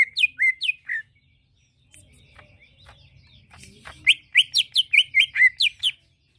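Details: Greater green leafbird song used to coax another bird into replying. Four clear whistled notes open, followed by a quiet stretch of faint rustling, then a fast run of about nine bright, slurred whistles.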